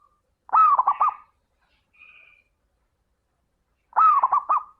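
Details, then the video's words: Zebra dove in full song, meant as a lure for doves that are slow to sing: two matching rolling phrases about three seconds apart, each a strong opening coo followed by rapid pulsed notes, with a faint higher note between them. "Suara burung perkutut gacor - Pancingan Super Istimewa"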